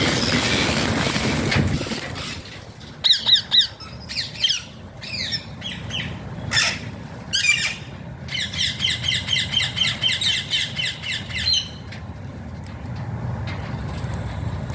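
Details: Alexandrine parakeet kept as a pet, called pahaadi tota, making a run of harsh squawks and chattering notes, then a fast series of about a dozen rapid repeated calls, with background hiss.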